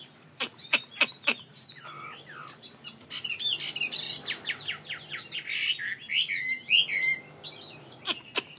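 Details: Vietnamese pet songbird known as mi sings a rapid jumble of high chirps and warbled notes in the middle, framed by sharp clicking taps at the start and end.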